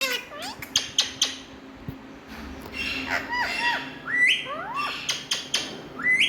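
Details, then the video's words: Indian ringneck parrots, described as talking birds, give harsh harmonic squawks and sharply rising and falling whistled calls in irregular bursts, with several quick clicks early on and a steady low hum behind. "My Best🥀Talking Running🍃Indian Parrots"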